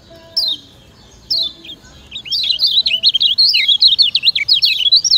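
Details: A Lemon-bellied White-eye from Lombok, used as a master song to train other birds, gives two thin, high, down-slurred chips, then a fast, continuous twittering warble of high rising and falling notes over a faint steady low hum.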